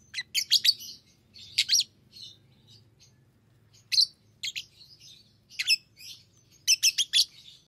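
Fischer's lovebird giving sharp, shrill chirps in quick clusters of two to four, high-pitched and piercing, with short pauses between bursts and a faint low hum behind.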